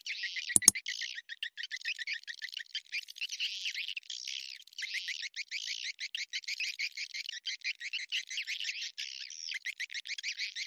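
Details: Swiftlet lure sound played to draw birds to a bird house: continuous fast twittering, high chirps repeated in dense series with brief gaps, one sharp click near the start.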